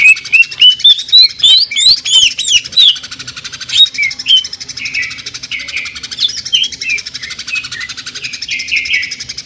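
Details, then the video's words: Jamtrok tembakan, sewing-machine style song from a greater green leafbird: an opening rush of loud, rising whistled notes fired rapidly, then softer warbled phrases over a continuous fast mechanical-sounding rattle. "CUCAK IJO JAMTROK TEMBAKAN SUARA MESIN JAHIT"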